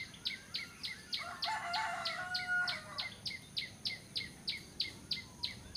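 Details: Bar-winged prinia, recorded for use in luring birds to traps, giving rapid repeated sharp descending chips at about three per second, while a rooster crows loudly partway through.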